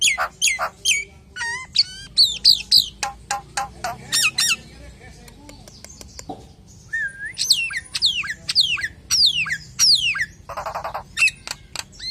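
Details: Common hill myna delivering a long varied song used as a lure for other hill mynas, mixing sharp whistles, clicks, squeaks and harsh notes, a quieter pause midway, then a fresh run of falling whistles.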